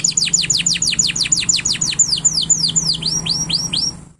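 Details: Excited caged male canary singing to stimulate a female to mate: a fast trill of about twenty sharp downward-sweeping whistles, slowing into longer curved swoops toward the end, over a steady low hum.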